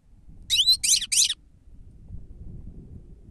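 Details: Grey-headed goldfinch recorded for use as a lure: three quick, buzzy, twittering call notes in close succession, each sweeping high, followed by quiet background hum.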